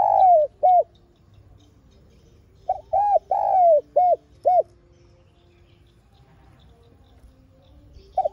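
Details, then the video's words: Spotted dove lure recording with coos meant to stimulate other doves. A closing pair of coos is followed by a full phrase of five hollow arched notes, including one long slide. After a quiet gap, another coo starts. "Tiếng Cu Gáy MỒI CHUẨN Giọng Hay Hạp BổI ĐỦ BÀI [GÁY GỌI,THÚC ]"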